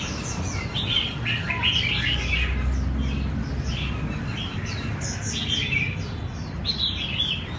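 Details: Red-whiskered bulbul song rehearsed for a singing competition: bursts of rapid tweeting and warbling notes coming in clusters about every second or two, with a continuous low hum beneath.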